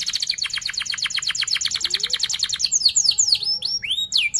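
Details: Fast rolling canary song used to train young canaries: a long, even, rapid trill of clipped repeated notes lasting over two seconds, then sharp chirped sweeps and rising whistled slurs.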